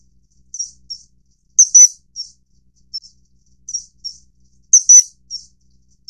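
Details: Common kingfisher, Alcedo atthis, during mating, giving sharp, high-pitched whistled notes, often in quick pairs or triplets, repeating in a similar pattern about every three seconds against a quiet background.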